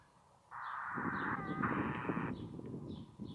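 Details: Kotare chicks begging out of sight within a mud nest in a fallen beach tree at South Titirangi, giving a long, broad, grating rasp held for nearly two seconds against low rumble.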